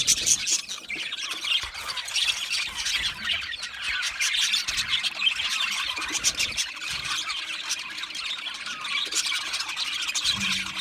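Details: Aviary budgerigars keep up a steady high chatter of chirps and squeaky squawks, a busy overlapping chorus from many birds.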